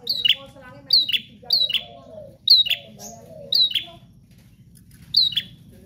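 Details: ['Bar-winged prinia giving loud, high, falling chip notes roughly every half second to second, fading toward the end, with softer mid-pitched warbling sounds and a steady low hum underneath.']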